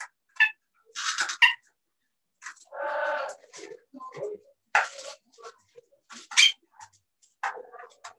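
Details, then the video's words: Pair of captive parrots at a sanctuary, heard mixing English-like words into calls to one another; dense run of speech-like mumbled syllables, raspy phrases and sharp high squeaks, nearly continuous over eight seconds in a small indoor room. "Talk to the Parrots"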